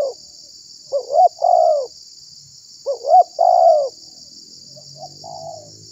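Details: Spotted dove call played as a lure to draw in and provoke wild doves: two full three-note coo phrases ending in a drawn-out falling coo, then a fainter partial phrase; a constant high-pitched hiss underneath.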